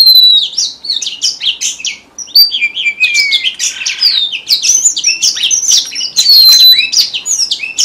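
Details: Red avadavat lure song from southern Vietnam, used by bird keepers for trapping: dense, high, thin twittering with quick chirps, trills and short descending whistles running almost unbroken, loud and clear with no other sounds.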